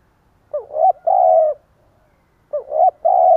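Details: Two close phrases of the spotted dove's stuttering decoy coo ('gù cà lăm'), each a jerky rising double note flowing into a sustained mellow tone.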